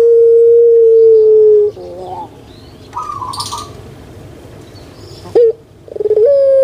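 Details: Collared dove of the puter pelung type, kept as a cage bird on Java, Indonesia, holds a long, even coo for nearly two seconds, then rolling notes, a quick upward flick and another steady coo beginning.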